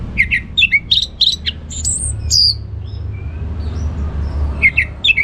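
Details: An orange-headed thrush sings ngeplong style: a run of quick, clipped whistled notes, then soft high sliding whistles, and a fresh burst of sharp notes at the close, with low background rumble.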